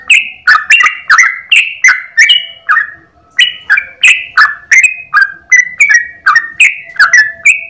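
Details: Morning 'ropel' song of a yellow-vented bulbul, a master recording for training other birds: rapid series of clear whistled notes, each a short slurred rise or drop, delivered in a long run with a brief pause midway, with a faint background hum.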